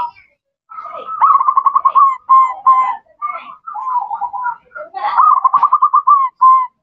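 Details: Female zebra dove calling a male: fast pulsed rolling coos in runs of about a dozen notes, interspersed with longer steady whistled notes and burbles, continuing without pause.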